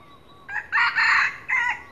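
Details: Morning crow of a red junglefowl, used as a lure. One brisk crow opens with a short note, swells into a loud, rough, sustained middle section, then ends with a quick separate dropping syllable. Low steady hiss behind.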